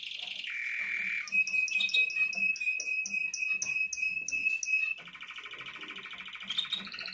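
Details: Male red canary singing: a sustained whistled tone near the middle of the range, then a long run of quick repeated notes over a steady trill, shifting at the end to a lower, rolling, buzzy trill.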